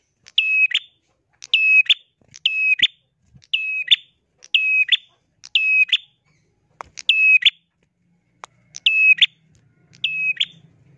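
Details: A bar-winged prinia calls vigorously: sharp, buzzy, high notes in a short stuttered burst, repeated roughly once a second against quiet surroundings, with a faint low hum near the end.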